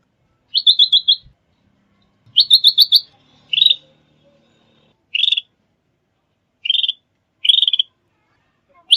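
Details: Trapping and training lure of a sooty-headed bulbul: rattling chatter bursts, starting with two fast five-note runs, then single buzzy trills at irregular intervals, with faint low rumbling early on.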